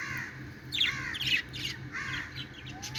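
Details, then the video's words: Playful pet budgerigars chatter with harsh, rasping squawks and short sliding warbled notes in overlapping bursts, a low hum running beneath. "budgie charping sounds|happy budgies playing|cute budgie sound"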